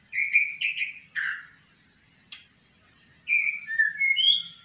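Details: Magpie-robin, said to mimic speech calling "Pak Jokowi", gives short whistled phrases, a few quick downslurred notes, a two-second pause, then a rising and falling series of clear whistles.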